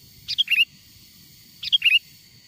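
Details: Calls of wild sooty-headed bulbul used to lure wild birds closer: two short phrases a little over a second apart, each a burst of three quick bright notes finishing in a rising whistle, over a soft low hum.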